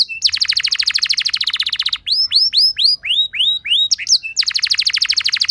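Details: Canary lure song to get other canaries singing: a fast rolled trill nearly two seconds long, then slower looping whistled notes, then the rapid trill returns.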